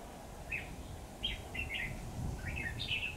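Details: Red-whiskered bulbul decoy bird in a trapping session, 28/9/2019: a run of short, lively warbled phrases repeated roughly every half second, growing busier toward the end, against low rumbling background noise.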